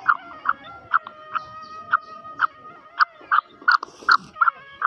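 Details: Female black francolin giving a rapid series of short, clipped notes, about two or three per second, evenly spaced, with a steady droning tone running underneath throughout.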